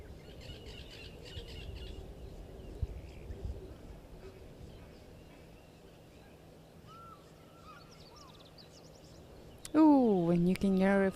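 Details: On 27 November 2022, an African fish eagle calls in the background with loud, ringing, yelping notes near the end, after faint distant calls, while a man talks quietly over steady outdoor noise.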